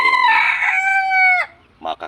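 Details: A red junglefowl rooster in captivity crows loudly: one long, strained, harmonic call held for about a second and a half before cutting off, followed by two brief rough sounds.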